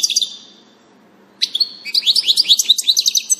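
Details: European goldfinch on 19 June 2018: a short high note, then a silent gap, followed by a quick stream of bright tinkling twitters and trills.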